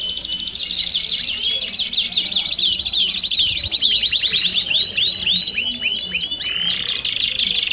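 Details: Chorus of domestic canaries singing together to prompt singing: continuous high rolling trills with looping, bouncing sweeps piling up toward the end.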